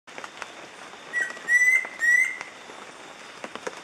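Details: A near-endemic Yellow-breasted antpitta (Grallaria flavotincta) at Montezuma, Western Andes of Colombia, recorded in 2014, gives three clear, mid-pitched whistled notes, each slightly rising, over a soft forest hiss with faint ticks.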